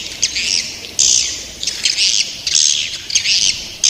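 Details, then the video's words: Young swiftlets give harsh, buzzy, high-pitched squawks in bursts of about half a second. The bursts come roughly every second, with brief quieter gaps between them. "Suara walet ngeri sedap, Walet Remaja"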